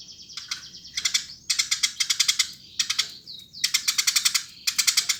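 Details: Energetic Eurasian tree sparrow pouring out dense clusters of harsh, scratchy chirps in bursts about half a second long, separated by brief gaps, with a couple of falling whistled notes between bursts.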